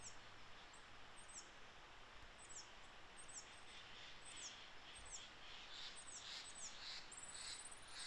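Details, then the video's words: Coal tit (Periparus ater) in Japan in April sings thin, very high notes in quick repeated phrases, nearly one per second, with a brief high trill near the end over steady hiss. "ヒガラ 鳴き声"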